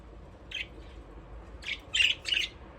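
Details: Budgerigars playing in their aviary, with a soft chirp followed by a run of louder, scratchy chirps grouped closely together toward the end.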